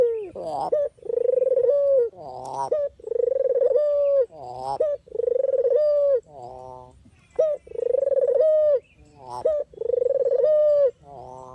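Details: Lure recording of a puter or deruk dove: a long run of steady hollow coos, each linked by a brisk rising stutter, repeated evenly about every two seconds, around seven cycles.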